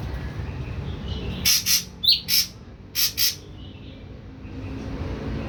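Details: Newly kept wild-caught ashy drongo, three weeks on pellet feed, venturing its first sounds; six short, dry, rasping notes in three quick pairs over about two seconds, then quiet low hum.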